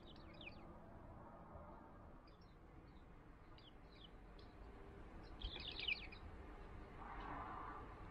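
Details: Warbling white-eye visiting a feeding stand with mandarin oranges during a rainless week: faint, thin high chirps in small bursts, with a denser cluster near the end, over steady outdoor background noise.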